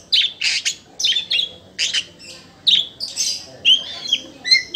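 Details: Oriental magpie-robin, a kept bird, giving loud song: harsh scratchy bursts alternating with short whistled slurs, about two phrases a second, ending with clearer descending whistles.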